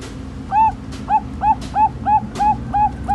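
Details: Male zebra dove of the Bangkok perkutut type singing to stimulate a female: a steady run of short, clear, mid-pitched coo notes, about eight in three seconds, with sharp clicking knocks between them.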